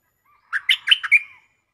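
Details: Stripe-throated bulbul in a cage, lure song: one brief phrase of about five clear, bubbly whistled notes, rising then dropping, in under a second.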